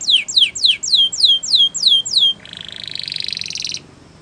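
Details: Training song of a Gloster canary: seven loud descending whistled slurs, then a switch to a long, buzzy, rapidly rolling trill that rises a little before ending abruptly.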